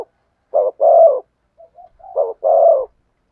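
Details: Spotted dove in thổ sấm song style. Two deep, rolling coo phrases, each a short note followed by a longer drawn-out coo, are separated by faint soft notes. Everything else is quiet.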